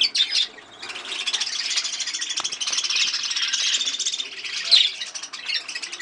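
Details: Breeding budgerigars kept as pets chatter continuously: dense, high, scratchy warbling and chirps from several birds overlap throughout, with a few louder squeaks standing out.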